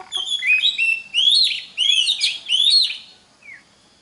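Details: Oriental magpie-robin singing, recorded to train other magpie-robins: loud bursts of upswept whistles layered with buzzy, raspy notes in four dense phrases, ending with a single faint falling note.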